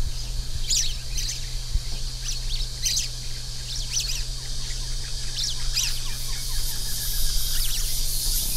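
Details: Orange-fronted yellow finch song: high, sharp chirps and short trills repeated in bursts over constant loud hiss and a low electrical hum.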